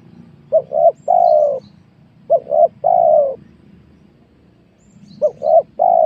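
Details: Spotted dove cooing on newly worked land with young oil palms during luring of wild doves; three phrases of paired short notes and a drawn-out descending coo, a faint higher chirp from another bird, and constant low background rumble.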